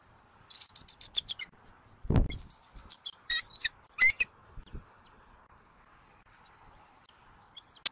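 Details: Adult male bald eagle at a Southwest Florida nest, watched by a 4K live cam at 8:24 am on 1 January 2024, calling after feeding its chick before the female arrives for a changeover: bursts of thin, high chittering notes, a dull thump, sharp clicks.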